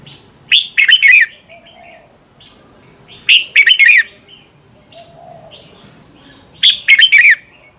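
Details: Red-whiskered bulbul singing a morning training song of three repeated short phrases, each a cluster of bright chirps and falling whistles about three seconds apart, with softer twittering and a faint steady hum between.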